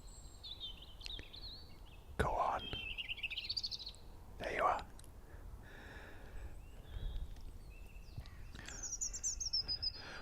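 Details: A European robin sings about 15 ft away, thin wavering phrases jumping between high and higher pitches with short pauses; the song wobbles and varies rather than repeating one tune, with a sadder tone. A man speaks quietly between phrases.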